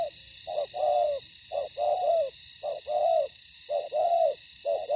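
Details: Spotted dove calling as a decoy bird faces wild birds in ground trapping; steady run of short-long coo pairs, the second note longer and gently falling, roughly one phrase a second, with background hiss.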